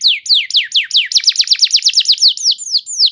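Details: Song of a canary meant to trigger singing in other canaries, a steady run of rapid downward-sweeping notes, about five per second, high and ringing.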